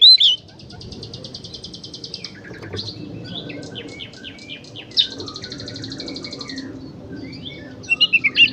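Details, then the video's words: Kacer (Oriental magpie-robin) in gacor konslet style, used to coax other kacer to sing: long buzzy rattling trills alternating with thin chirps and scattered whistles, ending in a quick run of sharp notes. "suara burung kacer gacor konslet"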